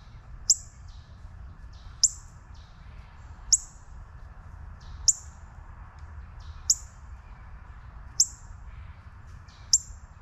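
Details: A juvenile northern cardinal gives sharp, high metallic chip calls, one every second or two, over a faint low background hum.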